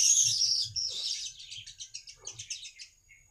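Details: Baya weaver used as a lure to draw other weavers: a loud, high, buzzing wheeze that breaks into a fast series of short ticking chirps and fades out.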